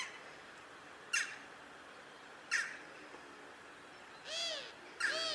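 Western jackdaw giving short, sharp "tchak" calls at irregular intervals, then two harsher, drawn-out squawks with a rising-falling tone.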